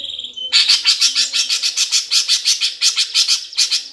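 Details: Greater green leafbird in gereja tarung fighting song for provoking competition birds: a brief whistled note, then a steady stream of loud, grating chirps, about three per second.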